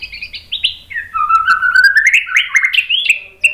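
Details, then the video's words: White-rumped shama song for training other birds: rich varied whistled phrases sliding from high notes down to a low run, then rising stepwise in quick buzzy trills, dense and loud throughout. "MASTERAN MURAI BATU biar EMOSI NYAUT jadi GACOR BONGKAR TEMBAKAN ¦ PANCINGAN MURAI"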